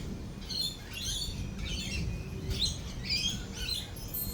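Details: Lorikeets at a cafe during a thunderstorm with rolling thunder and lightning: a flock gives shrill, scratchy screeches in quick irregular bursts over a low steady rumble of rain and thunder.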